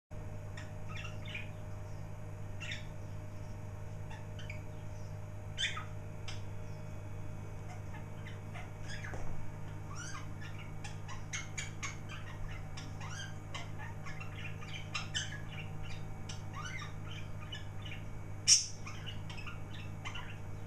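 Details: Two pet budgerigars indoors chirp and chatter like mad in quick, scratchy bursts as dinner is brought out, over a steady low hum, 29 June 2011.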